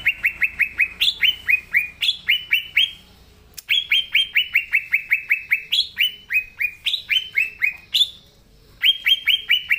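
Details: Green leafbird singing loudly in its natural voice, meant to trigger song in young leafbirds. Continuous, rapid series of downslurred whistles, punctuated every second or two by a higher rising note, with two brief pauses.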